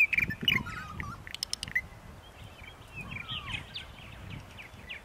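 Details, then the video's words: Purple martins on an April 2012 morning in Center Moriches, Long Island, New York: a quick run of sharp chirps and clicks, then softer gurgling and downslurred notes over faint low noise. "Purple Martins on April 14, 2012 in Center Moriches, Long Island"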